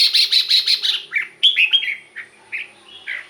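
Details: Red-whiskered bulbul song for exciting caged birds: opens with a fast run of rasping chatter notes, then slower, clear, slurred whistles spaced about half a second apart.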